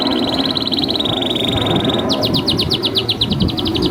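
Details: Canary master song used to train young canaries and canaries that have stopped singing. A long, fast, even trill of high notes runs for two seconds, then switches to quicker, sharper, descending repeated notes, over steady low rumbling noise.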